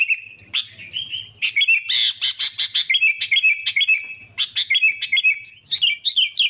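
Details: Sooty-headed bulbul used to lure rivals: a long whistle, then a rapid series of sharp, evenly spaced chirps and warbling whistles, with faint low knocking underneath.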